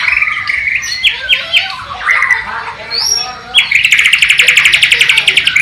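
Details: Captive Bornean white-rumped shama from East Kalimantan with a sikatan londo and nightingale imitation, recorded on a low-resolution camera: assorted whistles and clipped slurred notes, a pause, then a long rapid trill of evenly repeated notes.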